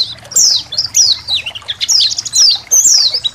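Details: A colony of white-eyes with trickling water, for training songbirds: clear, high descending chirps about every half second, with softer twittering notes filling the spaces between.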